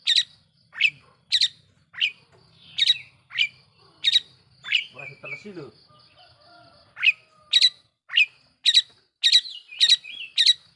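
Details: Long-tailed shrike lure song for provoking rival shrikes: crisp, sharp chirps delivered in quick series, broken midway by a short rustling noise before the chirping resumes.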